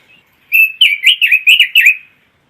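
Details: Red-billed leiothrix, an imported songbird from China, Taiwan and the Netherlands, sings a single quick phrase of six bright, slurred notes that rise and fall, lasting under two seconds, in clean quiet surroundings.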